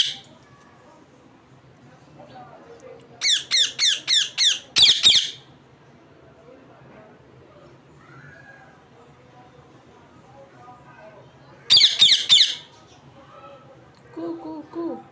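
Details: Bursts of rapid, shrill parrot squawks, a fast string of six harsh notes, then a long quiet stretch, then another short cluster of grating chirps, with faint murmuring between.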